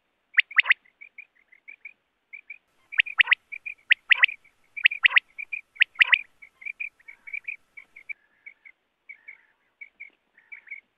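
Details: Wild quail voice used in net hunting: loud sharp double notes early on, then a long run of soft, evenly spaced whistled pips fading toward the end.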